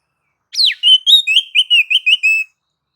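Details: White-rumped shama song played to provoke other shamas to sing, in nagan and ngobra styles: a sharp falling whistle, then a run of short clear whistled notes around one pitch, repeated quickly for about two seconds.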